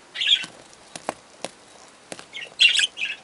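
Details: Three young budgerigars calling: short scratchy chirps in small bursts, some separated by sharp clicks, with quiet pauses between them.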